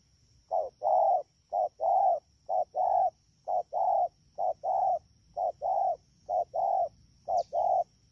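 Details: Spotted dove caught from the wild, recorded in Đak Tô on 3 October 2019 in the rainy season, delivering a speedy run of low hoarse double coos, short note then long, about nine pairs evenly spaced, with a faint high whine throughout.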